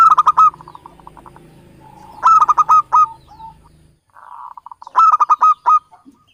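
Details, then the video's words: Local Javanese zebra dove used as a lure for trapping, aimed at beginners: bursts of rapid, harmonic cooing notes with a rolling trill, repeated three times with pauses between phrases. "SUARA BURUNG PIKAT PERKUTUT LOKAL JAWA Pancingan buat pemula"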